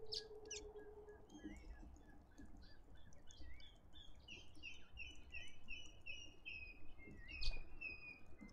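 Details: A Cape robin-chat, recorded on 11 November 2021, gives a quick run of short, clear whistled notes, rising and falling in a lively string, over a steady low rumble of wind.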